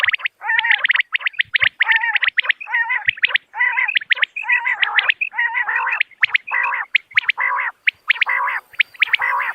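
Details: Dense, continuous series of common quail calls: short nasal, buzzy phrases each tipped with sharp high notes, repeated rapidly with barely a gap for nearly ten seconds.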